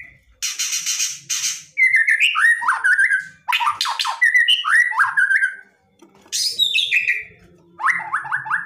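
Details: White-rumped shama pouring out aggressive, provoking song; harsh rasps lead into varied warbled whistles and chatter, ending in a rapid series of repeated rising notes.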